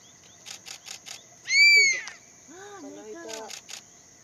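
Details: Crested serpent eagle on Ishigaki Island, Okinawa, Japan, perched conspicuously on a fine December day to claim its territory: one loud ringing squeal, arched and slightly falling, set between rapid camera shutter clicks, with a human voice following.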